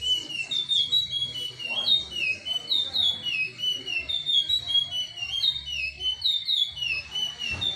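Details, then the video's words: Curió, the chestnut-bellied seed finch, Timbira song: a run of clear whistled notes swooping up and down in repeated slurred phrases, low background hum throughout. "curió Timbira vent violent"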